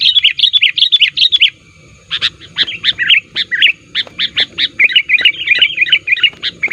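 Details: Sooty-headed bulbul calling, used to lure wild bulbuls: bright, bubbling chirped phrases repeated rapidly, a short pause near one and a half seconds, then steady runs of quick warbled notes.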